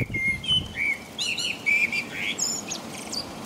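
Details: A common blackbird in the middle of a rainy night in England, about 5 a.m., delivers a continuous run of mellow looping whistles ending in scratchy high chirps, rain hissing beneath.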